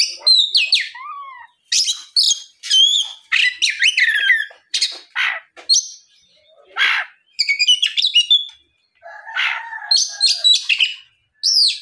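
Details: Oriental magpie-robin song recorded in the afternoon to provoke rival magpie-robins into answering. Rapid bursts of bright whistles, trills and sharp chirps come in phrases separated by brief pauses, with a few lower scratchy notes.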